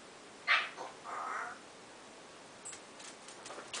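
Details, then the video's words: Early-morning practice of a fresh "owww" sound by a pet African grey parrot: a loud scratchy burst followed by a sustained, moaning lower tone of about half a second, then light clicks and taps. "African Grey practicing new owww sound"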